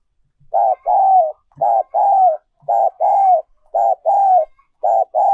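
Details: Decoy recording of a spotted dove in the 'giọng còi' (also 'giọng kim') singing style: five evenly spaced coo phrases, each a brief note plus a longer mellow downslurred coo, about one phrase per second.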